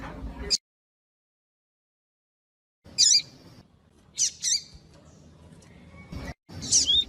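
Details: Double-collared seedeater singing the tui tui style used by breeders to warm up tournament birds: short, sharp, buzzy high notes in separate bursts with abrupt gaps between them.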